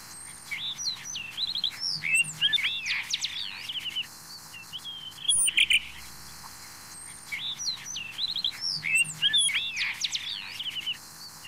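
Blue rock thrush singing rich, fluty warbled phrases that rise and fall, given in two similar bursts a few seconds apart, with a thin high whistle near the start.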